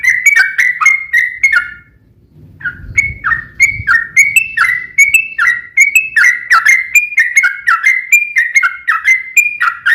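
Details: Sooty-headed bulbul (trucukan) singing gacor ropel song to prompt other bulbuls to answer: quick whistled slurs, a short pause with low rumbling noise, then a long steady series of rising and falling whistles.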